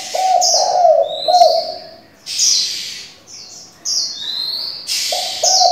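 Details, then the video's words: Spotted dove kept as a decoy with many voices for training young doves: a short burst of soft, rolling low coos at the start and again at the end, with thin high chirps and whistles between. "Cu gáy đảo giọng liên tục, kích bổi hay, luyện CU non chuẩn!"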